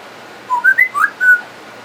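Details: Pet talking parrot mimicking sounds: a clear whistled tune of five notes stepping up and down, loud and close, in a quiet room.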